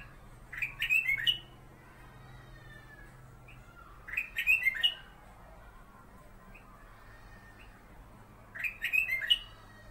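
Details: Kutilang emas, a black-crested bulbul used as a singing model for magpie robins, repeats a brief cluster of sweet, fluted whistles about every four seconds, with faint scattered chirps between the bursts.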